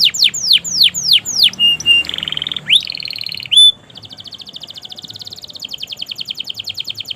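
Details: Long canary song used to coax silent and young canaries into singing: falling whistled sweeps, then flat buzzy tones and a sharp high note, ending in a long, fast, soft repeated trill.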